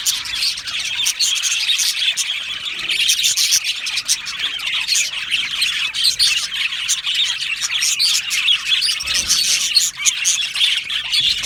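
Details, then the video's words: Happy budgerigar aviary colony: unbroken warbling chatter of many birds, chirps and scratchy squawks overlapping, slightly quieter dip late on. "Happy Budgie birds chirping sounds"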